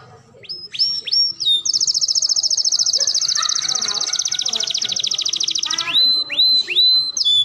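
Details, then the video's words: Canary singing a masteran with smooth cengkok: a few swooping whistles lead into a very fast, high rattling trill held about four seconds, closed by more looping whistles. "Masteran kenari paling di cari di 2023 cengkok dan iramanya sangat syahdu"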